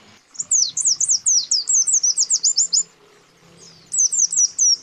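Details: White-eye pair, male and female, calling against a rival: a two-second run of quick, high, sweeping chirps, a pause, then a shorter burst of the same rapid notes.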